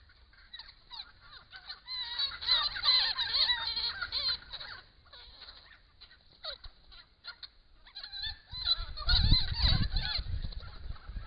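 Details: A flock of noisy friarbirds, more than 20 coming and going at a bare bush pond during the autumn 2015 Grey Box eucalypt flowering, gives harsh, cackling, overlapping calls in a busy chorus, with wind rumble near the end.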